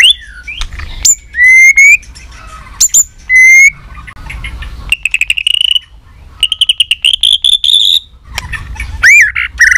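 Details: Competition fighting song of a three-season white-rumped shama: long pure whistles, a few rising slurs, then a rapid run of sharp ticking notes and a bright ringing trill, ending in swooping whistles.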